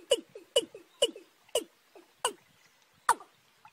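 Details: Watercock in March, a young bird set against a wild field bird: quick series of hard, falling knocking notes, each followed by a softer lower echo-like note, roughly twice per second, then slowing.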